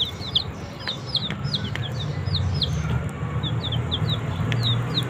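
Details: Baby chickens eating green leaves give a steady stream of short, high, down-slurred peeps, several per second from overlapping birds, over a low constant hum.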